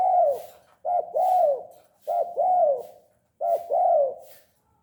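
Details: Persistently calling tame spotted dove: four rounded coo phrases, each a quick short note followed by a longer, gently rising and falling coo, spaced roughly 1.2 seconds apart in a quiet room.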